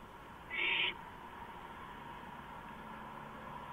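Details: Owl on a porch at 2:05 AM, April 5, 2015, utters a single loud, harsh hissing screech of under half a second, then only quiet background hum.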